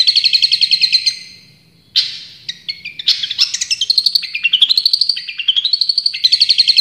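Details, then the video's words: Long-tailed shrike song used as a training recording, with its full range of sounds: a loud varied medley of harsh chattering bursts, rising and falling whistled notes, and rapid trills repeated several times a second. "Masteran Cendet Juara full tembakan"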